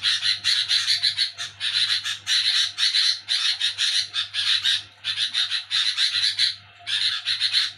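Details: Sooty-headed bulbul calling noisily after dark with its nyerecet chatter, groups of rapid harsh buzzy notes separated by short silences, over a constant low hum.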